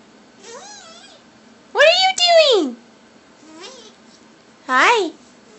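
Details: Five-month-old pet cape parrot indoors, asking "what are you doing?" with a "hi" added: several short harmonic vocal phrases with rising and falling inflections, two louder bursts among quieter murmured sounds.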